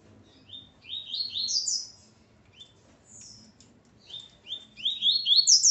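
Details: Male Coleiro singing Ponto 50 beside his female; two phrases of rapid upward-slurred whistles climbing in pitch, with a short high note between them.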